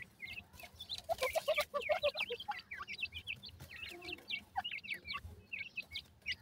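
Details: Francolin (teetar) chicks, a mixed group of white and brown types, giving many thin, high peeps that rise and fall quickly, overlapping in a busy chatter, with low rumbling background noise.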